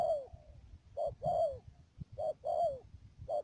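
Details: Spotted dove decoy bird used for dove trapping at Mương Điều, Đầm Dơi, Cà Mau, 12 March 2019: mellow cooing, a short note then a longer downslurred coo, repeated twice, with a steady high thin whine behind.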